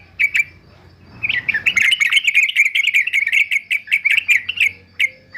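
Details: Yellow-vented bulbul fighter male, kept for singing training: two clear chirps, then a fast stream of bright, ringing chip notes repeated several times a second, ending in scattered single chirps.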